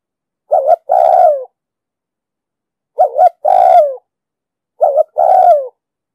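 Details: Spotted dove with a deep 'đồng sấm' style voice, recorded for luring and training birds for trapping: three coos, each a short doubled note followed by a longer falling coo, about two seconds apart. Quiet background.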